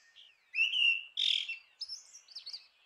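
A Grey-winged blackbird sings a brief, clear whistled phrase: a sustained mid-pitched note, a rich burst, then a few higher, sliding notes, with no other sounds.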